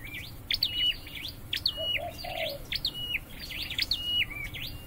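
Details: Scarlet-headed flowerpecker in a cage, trained for singing: bursts of thin, high, sharply rising and falling chirps with short level whistles, about one phrase per second. A low, soft cooing call is heard once.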